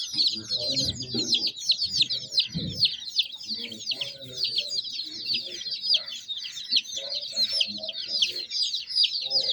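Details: A brood of baby chicks peeping continuously in high, sharp, falling chirps that crowd together, with soft low thuds and murmurs in the background.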